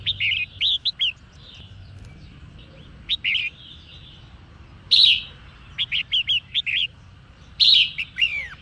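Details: Female red-whiskered bulbul singing to stir up males: lively strings of short, sharp chirps mixed with loud fluty warbled phrases, the last one ending in a falling slur, over low background hum.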